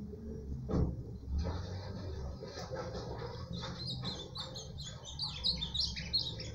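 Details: Ultramarine grosbeak (azulão), said to deliver fifteen songs in under a minute, gives a quick run of high chirped and warbled notes building through the second half, over a low background rumble.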